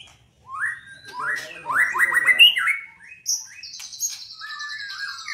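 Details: White-rumped shama from Indonesia, a captive albino or blorok mutant bird, singing rising whistles that run into a fast rattling trill, then a long, high buzzy note and soft closing whistles.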